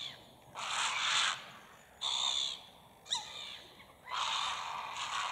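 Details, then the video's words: Grey heron crying out in anger while gulls harass it, skimming past its head and chasing it in flight, recorded from about two metres away; loud, harsh, rasping squawks in three long bursts, with a brief gull-like sweeping call between them. "Heron cendré en colère qui crie, agressé par les Mouettes qui crient aussi"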